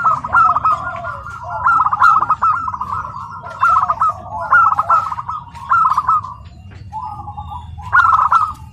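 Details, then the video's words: Repeated rolling coos from a tame local zebra dove singing at a contest field, phrases coming about once a second, with background crowd murmur and faint clicks. "Perkutut Lokal Alam Jinak Berprestasi"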